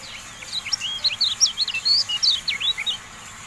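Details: Clear, loud Javan white-eye song of rapid, high, slurred and zigzag chirps, about a dozen in quick succession. The recording is meant to tutor caged birds.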